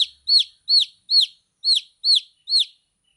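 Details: Young chickens chirping: seven loud, thin, high-pitched peeps, each sliding downward, repeated roughly every half second against a silent background.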